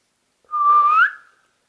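A pet rose-ringed parakeet gives one clear, pure whistle of about half a second, level at first, then sliding upward at the end. Nothing else is heard.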